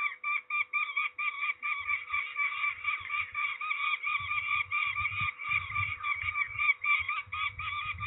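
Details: At a ringing session in Trzebież, Poland, 13 May 2019, peregrine falcons keep up a grating, pulsed calling without pause, while soft bumping and rustling sounds occur in the background.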